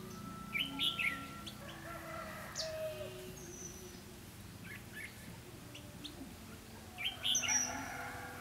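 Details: Red-whiskered bulbul decoy at a trapping site on 4 November 2016, singing to lure wild birds. Two short chirpy warbled phrases open and close the clip, with faint thin high whistles and scattered chirps between.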